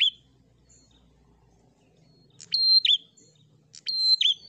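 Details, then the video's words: Prinia singing to provoke a rival bird: a brief tail of one phrase, a pause, then two strident high-pitched phrases, each a clear piercing note and a fast scratchy flourish, about one and a half seconds apart. "Burung Prenjak Gacor Fighter l Ampuh Pancing Em0si Prenjak Ombyokan"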